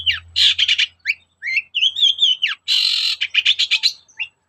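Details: Long-tailed shrike morning song, played so that other shrikes answer; buzzy chatter and sliding whistled notes mix with a long wavering whistle and a sustained harsh rasp, busy and loud throughout.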